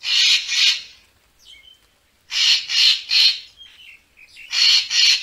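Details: Racket-tailed treepie, played to attract birds for photography: repeated loud harsh rasping calls in pairs and triplets, separated by short thin squeaky notes.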